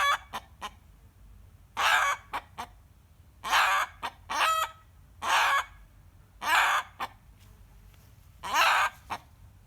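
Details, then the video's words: Rooster screaming, his usual reaction to hearing a hen cackle: harsh, raspy cries of about half a second repeated roughly every one to one and a half seconds, with short clipped notes between them. "Rooster Screaming"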